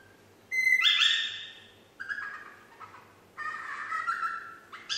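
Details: Female parrot aged nine months trying to whistle Yankee Doodle, giving a clear whistle sliding downward, then a few short broken notes and a longer level whistle at the end.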